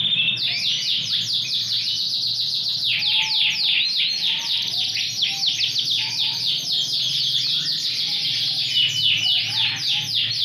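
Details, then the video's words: Large, strong-singing Yorkshire canary with a TKF ring delivering a long rolling trill of dense rapid notes, about four per second in bursts, sustained without pause. "yorkshire tkf ring 20 super || gacor big size"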